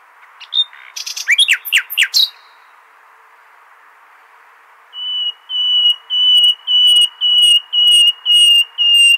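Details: Nightingale song in the al-Hasaniya style, used to tutor goldfinch and hybrid chicks. A quick jumble of rising and falling notes is followed by silence, then seven or eight loud, pure whistles. The whistles repeat about every half second, each swelling in volume.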